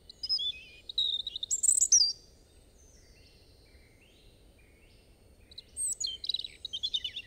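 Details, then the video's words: European robin delivering high, fluty, tinkling phrases with sharp squeaks and quick trills, pausing for a few seconds between bursts, over a steady low hum of background noise. "Robin Bird Song"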